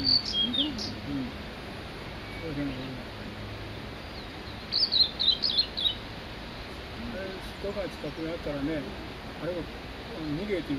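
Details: Male Blue-and-white Flycatcher singing at Mount Migita: a brief burst of high, quick twittering notes midway, set among lower warbling sounds from other birds and steady background hiss.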